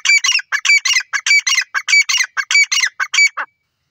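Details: Grey francolin calling loudly: a fast, harsh, strident series of ringing notes, mostly in clipped pairs, tumbling out roughly four per second for three and a half seconds before stopping abruptly, with nothing else audible.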